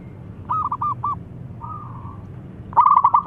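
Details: Young local zebra dove, singing actively with a thick voice, used as a lure for other doves: a short run of low hooting coos, then a louder, quicker rolling coo phrase near the end.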